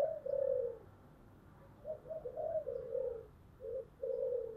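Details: Spotted dove kept as a decoy, its deep booming voice used to lure wild doves: a long low hollow coo, a quick run of short coos, then a long coo, a brief coo and a final drawn-out coo.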